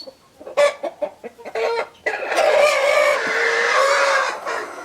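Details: A rooster gives several sharp, loud clucks, then a long sustained crow of about two and a half seconds, strained and harmonic, holding steady before fading.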